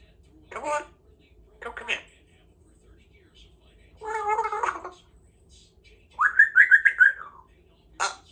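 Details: Two-year-old female pet Congo African grey parrot practising her words and sounds at home: a few short gargled, speech-like syllables, then a warbling, pulsed whistle rising and falling near the end, with quiet pauses between.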